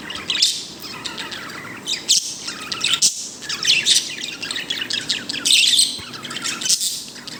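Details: Dense, lively chirping from a pet bird said to be happy: almost continuous high twittering with bright squeaky peaks and rapid tweet bursts, pausing only briefly every second or two.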